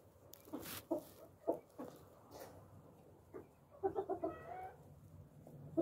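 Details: Tame pet Japanese (Coturnix) quail on a farm, being patted and hand-fed: soft short clucking notes in loose bursts, a few higher chirps near the end, amid rustling and handling noises.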